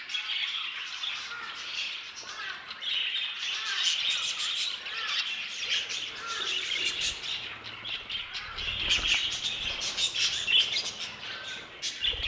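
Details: New violet mutation of the budgerigar, chattering with a long run of scratchy warbles, rapid chirps and clicks. The sound grows busier and louder in the second half, with small bursts of sharp ticks.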